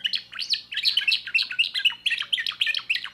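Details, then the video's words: Timbrado canary, a young bird from 2024: dense, fast warbling with rapidly repeated chirped notes and rolling trills, several notes each second, steady throughout with nothing else heard. "chant canari timbrado"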